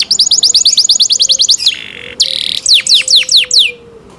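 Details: Canary in cenkok song, delivering a quick repeated chip-trill for about one and a half seconds, a brief buzzy tone, then a handful of loud descending whistles.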